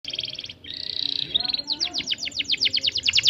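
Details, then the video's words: Canary singing a long rolling song with tight rolls and cheeping notes: a fast buzzy trill, a sustained rolled passage, then a rapid run of repeated downward-sweeping chirps. "KENARI GACOR PANJANG, rol rapat cuit cuit"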